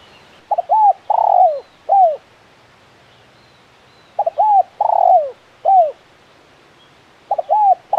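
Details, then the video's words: Crisp KUK 1 style cooing from a champion spotted dove calling actively: three phrases, each opening with short paired notes, then a drawn-out coo and a downward-sliding last note, in a quiet background. "Suara Burung Tekukur Gacor KUK 1 Mersik Jagonya Bikin Emosi"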